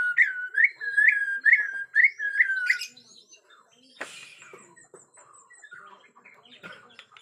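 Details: White-rumped shama from Borneo, agitated, natural forest sound: about six clear, repeated rising whistles in quick succession, then a brief harsh burst and quiet, scattered faint notes.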